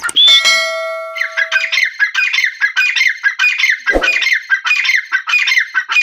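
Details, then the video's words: A female grey francolin (dakhni teetar) gives harsh, squawky notes about three times a second, after a brief ringing, tonal sound at the start. "Dakhni Teetar Voice|Dakhni Teetar ki awaz|teetar ki awaz sound|teetar ki awaaz|female teetar ki awaz"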